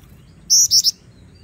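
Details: Black-winged Flycatcher-shrike, a female serving as a lure for training, sings three quick high whistled notes within half a second, bright and slightly falling, against quiet low hum.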